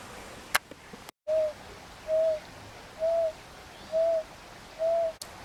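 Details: Narina Trogon in Karura Forest, an urban forest in Nairobi, Kenya, gives five low, soft, slightly arched hoots, evenly spaced about once a second, with a couple of faint clicks at the start.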